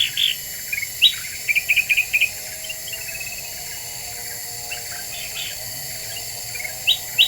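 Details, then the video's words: Black-winged bulbul, a very vocal lure song said to rile other birds: short sharp whistled notes in two bursts, a quick run of chips near the middle, over a steady high insect-like drone. "Suara Pikat Kutilang Emas Super Gacor,,Bikin Burung Lain Pada Emosi"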